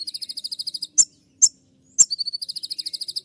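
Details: Kolibri ninja (Van Hasselt's sunbird) singing 'tembakan' shooting notes for tutoring: a long run of rapid shrill beaded notes, three sharp isolated ticks, then the quick high trill resumes.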